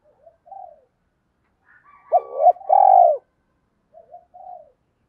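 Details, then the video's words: Lure spotted dove coo in the 'thổ pha thúc gù' style, used to provoke wild males into cooing back: soft, low hooting coos, then a loud burst with a rapid, throbbing rolled coo, then quiet coos again. No other sounds. "chim cu gáy mồi giọng thổ pha thúc gù như máy khâu, bổi nghe ức chế gáy theo, mở là gáy"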